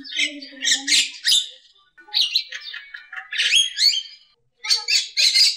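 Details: Javan myna singing, called a champion and fit for tutoring other birds: varied rasping notes mixed with squeaky, slurred whistles that rise and fall, plus a short low nasal note early on.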